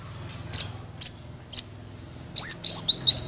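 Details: High sunbird song for prompting other birds: three sharp ticks with thin trailing whistles, then four quick looping whistled notes, over a faint low hum.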